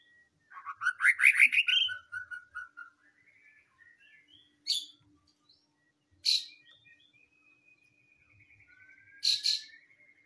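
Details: White-rumped shama full song: a loud rising rapid trill, then scattered whistles, a long level whistled tone, and sharp loud notes recurring every few seconds.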